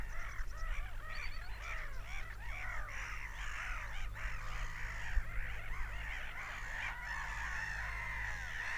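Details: Seagulls screaming en masse: a dense tangle of short, arching yelps early on, then longer level wails, over a low, steady rumble.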